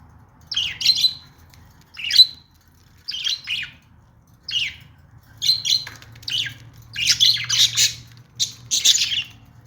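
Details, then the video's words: About a dozen short, buzzy budgerigar chirps, spaced out at first, then coming faster and closer together. "budgies sounds | parakeet chirping sounds | budgie calling sounds"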